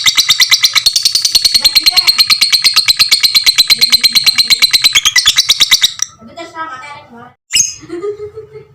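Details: Fighter lovebird in long ngekek for mastering other lovebirds: six seconds of fast, buzzy, high chattering trill at an even pace, then it breaks off into scattered squeaks and a sharp click.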